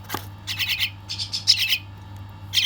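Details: Young bird being fed, making insistent scratchy high-pitched chirps in rapid runs of several notes, two long runs then a fresh burst at the end, over a soft continuous low hum.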